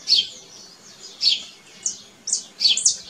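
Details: Canary in nature giving a few separate high chirping notes, sharp and bright, spaced about half a second apart, with quiet gaps between them.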